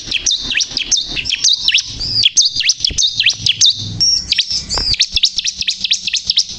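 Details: Energetic song of a bar-winged prinia, locally called ciblek kristal: rapid high chirps and downward-sweeping whistles strung together continuously, growing into a quick trill of repeated sharp notes toward the end.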